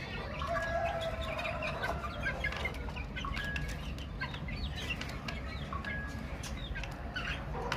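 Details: Baby chicks chirping together: a busy stream of short, high, falling peeps and a few longer piping notes, with continuous low background rumble and soft tapping.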